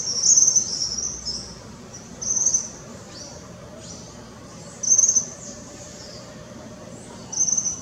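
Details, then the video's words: Young Tropical Kingbird calling in Parque da Chacrinha, Rio de Janeiro, Brazil, in February 2019: short, very high, thin buzzy notes given in brief bursts every two to three seconds over a quiet background hiss. "Suiriri jovem vocalizando"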